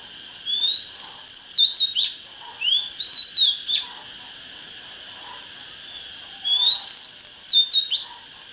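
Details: Oriental magpie-robin song in three short bursts, each opening with a clear rising whistle followed by quick downslurred notes, separated by pauses of one to two seconds, with a steady high background tone.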